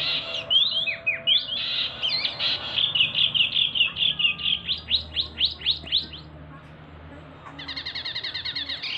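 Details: Male Javan mini wambi with a big voice for its size: high twittering, then a steady series of downslurred whistled notes repeated several times a second, a pause, and a dry buzzy trill.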